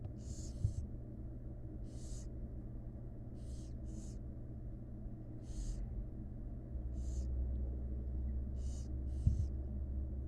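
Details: Barn owl chicks, wild, in a research nest box being fed by their mother, giving rasping hissed begging bursts, singly or in pairs, over a constant low droning hum.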